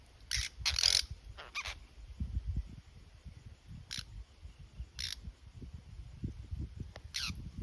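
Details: Apostlebirds in the Northern Territory, Australia, a group species, give harsh, grating rasps in short bursts, a cluster early on and then single calls every second or so, over low wind rumble.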